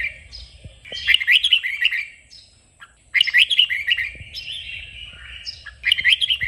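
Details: Red-whiskered bulbul singing during song training meant to excite it into lively 'kích bổi' singing: bright, warbled whistled phrases in three bursts, near 1, 3 and 6 seconds, with quiet gaps and faint low background rumble.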